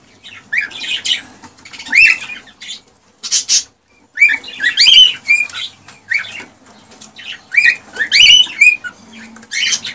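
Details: Cockatiel song meant to prompt mating and breeding. It is made of bright warbled whistles and chirps in bursts of a second or so, with short upward-slurred whistles and brief quiet gaps between phrases.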